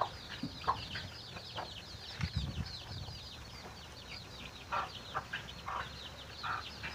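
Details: A chicken feeding its chicks: repeated short mid-pitched clucks in bursts amid steady high peeping from the chicks, with low scuffling sounds.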